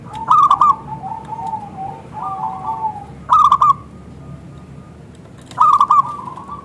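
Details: Actively singing local zebra dove, a lure recording meant to draw replies from other zebra doves; loud clipped note bursts separated by softer, lower rippling coo runs, with a long steady thin tone in between.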